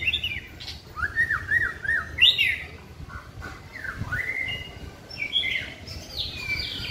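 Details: Caged white-rumped shama during singing practice on a hanging pole: repeated short down-up whistled notes in a quick series, a sharp burst, then swooping rising whistles and higher sliding phrases.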